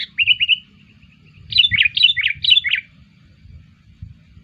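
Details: Lure call for sooty-headed bulbuls: a quick run of bubbly rolling notes, then a pause and four rapid repeated chirpy phrases that dip and rise, over a low background hum.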